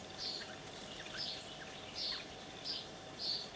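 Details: Crimson rosella (Platycercus elegans) calling while drinking and bathing, giving five short, high, sharp chip notes about one every 0.7 seconds over a faint steady hum.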